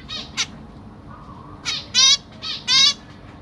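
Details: Captive zebra finch chicks (juveniles and newly fledged babies, Black Cheek, parents feeding them) give harsh, buzzy, nasal rasping calls in short overlapping bursts about once a second; faint hum behind.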